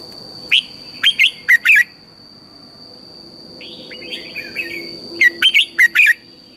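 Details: Morning song of a red-whiskered bulbul, recorded as a decoy sound for training birds in the intense 'căng lửa' manner: a run of four sharp warbled notes, a softer twittering passage, then another lively cluster over a constant thin whine.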